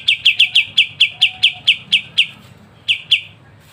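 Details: Kapas tembak, lively and crisp, singing master song for songbird training: a rapid string of about a dozen sharp repeated chips slowing toward the end, a pause, then two more chips.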